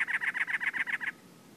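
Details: Cactus wren male in April 2010 at Anza Borrego State Park, California, perched among teddy-bear cholla and calling on territory: eight or nine harsh, raspy notes in quick, even succession, ending abruptly.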